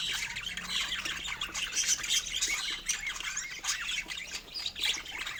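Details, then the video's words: Several pet budgies eating fruit, producing thick, bubbly twittering and short whistled chirps that overlap without pause. "Cute Budgies Making Sweet Sounds While Eating Fruits"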